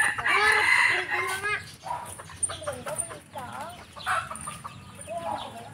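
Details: Many red junglefowl roaming free in a backyard give a busy mix of clucks and crowing, harmonic calls layered over one another several times a second, with faint voices in the background.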